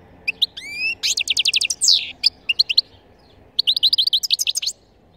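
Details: Wild European goldfinch song, played to lure passing goldfinches down or to teach young birds: rapid liquid twitters, rising whistled slurs and buzzy clusters in quick bursts, over a low steady hum.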